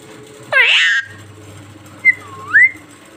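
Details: Pet talking parrot gives a harsh, loud, noisy screech lasting half a second, then after a pause two short clear whistled syllables, the second dipping and rising, imitating speech.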